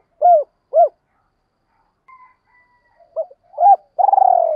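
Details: Spotted dove lure call for wild doves: two short arched coos, a pause with faint thin tones, then quick short notes leading into a long rolling coo.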